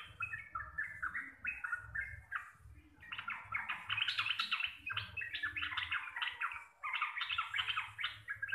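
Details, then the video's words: Local Javanese sooty-headed bulbul delivering continuous rapid song: a steady flow of short, bright chirps in close clusters, briefly pausing once before resuming, over a soft low hum. "TRUCUKAN GACOR RECEH DURASI PANJANG"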